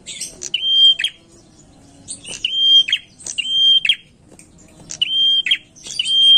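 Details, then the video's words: Lure song of a prinia: repeated bright, even-pitched whistles, each with a fluttering twitter at the end and high chirps before it, with pauses of a second or two. "pancingan prenjak gacor enak"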